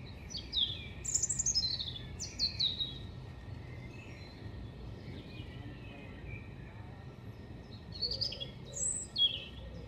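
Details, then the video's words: European robin (Erithacus rubecula) recorded singing at Hengelo, 5 May 2018: an opening run of sharp, descending high whistles, a pause of several seconds, then another bright, tumbling phrase, with low background rumble throughout. "Roodborst zingt"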